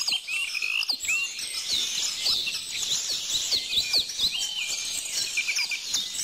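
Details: Dense chorus of many songbirds singing at once, with high, quick chirps, slurred whistles and short trills overlapping continuously and no pause in the calling.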